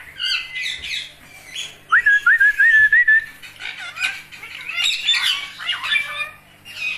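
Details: Green parrots squawking, with a clear rapid whistled trill and more harsh, chattering calls from several birds.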